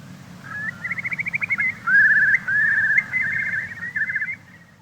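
Eurasian curlew: rising whistled notes quicken into a long, fluty bubbling trill that swells and fades, over a low background rumble.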